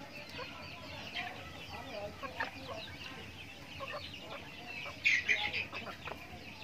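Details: Backyard farm chickens eating feed during their daily routine: scattered short clucks and soft peeps from several birds throughout, with a louder cluster of sharp calls around five seconds over a steady low hum.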